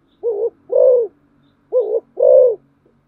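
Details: A decoy spotted dove delivers two quick phrases of deep cooing. Each phrase has a brief first note and a fuller second, about a second and a half apart, in a quiet setting.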